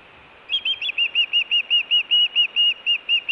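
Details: Calling osprey at the Hellgate nest in Montana in June, food or alert calling: after brief quiet, a run of a dozen high, piping whistled notes at a steady rapid pace.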